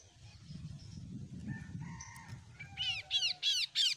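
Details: Untrained oriental magpie-robin just beginning to sing: a few faint, thin whistled tones over low background rumble, then four loud, bright, downward-slurred notes in quick succession.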